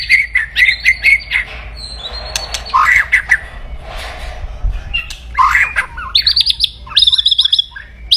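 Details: Aggressive white-rumped shama singing loudly to provoke rivals: rapid high chattering notes, harsh squawky bursts and slurred whistles, ending in a dense, high-pitched twittering trill.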